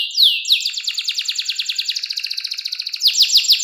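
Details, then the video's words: Bright canary trill in the 'cengkok mewah' style, sung clearly as a master song for young canaries: a swooping opening note, then a long rapid rolling trill ending in faster repeated downslurs. "KENARI CENGKOK MEWAH SUARA JERNIH, COCOK BUAT MASTERAN KENARI PAUD BELAJAR BUNYI"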